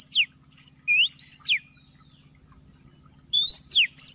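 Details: Lure recording of Oriental magpie-robin for trapping in an oil palm plantation, played from MP3: bright whistled upslurs and sharp falling notes in two bursts separated by a long pause, with a steady high tone and low hum.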